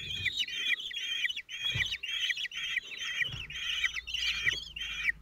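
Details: Male common kestrel feeding his four chicks, aged 17 days, at the Théding nest on 27 June 2023. Shrill, quavering calls are repeated steadily, several each second, and are mixed with light thumps and rustling.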